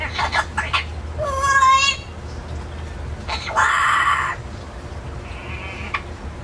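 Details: Talking parrot from an indoor aviary, caged for safety when taken out; quick clicks, then a harsh wavering cry, a raspy screech and a short high note, all speech-like and loud.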